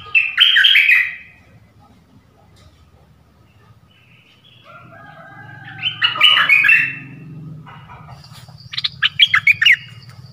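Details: Dok taeng bird, a decoy bird calling for a mate in a forest on 13 January 2021, giving bursts of harsh, squeaky chirps separated by quiet gaps, with a steady high whine and a low rumble beneath.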